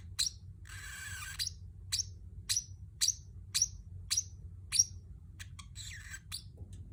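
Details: Pacific parrotlet chirping, with short bright downward chirps repeated roughly every half second to second and a couple of harsher, buzzier notes mixed in.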